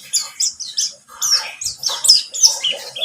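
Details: White-eye of the buxtomi type in a lure recording: quick high whistled chirps and rolling twitters that follow one another without pause across the whole short phrase.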